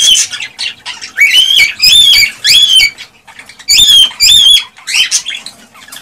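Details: Cockatiel song aimed at encouraging mating and breeding: loud, clear whistled notes that rise then level off, delivered in pairs, mixed with raspy chirps and brief quiet gaps.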